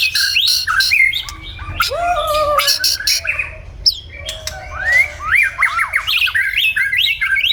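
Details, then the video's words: White-rumped shama in the morning, pouring out a varied song of low fluted whistles, rising and falling slurs and crisp clicking notes in quick, uneven succession. "Enjoy the sound of the white-rumped shama singing in the morning"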